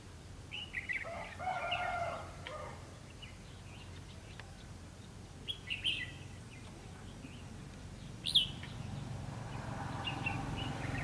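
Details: Red-whiskered bulbul at a fight trap with a decoy bird, 2 February 2016: short whistled, chirpy phrases in scattered bursts, a sharp bright note standing out near the end, over a steady low rumble of outdoor background noise.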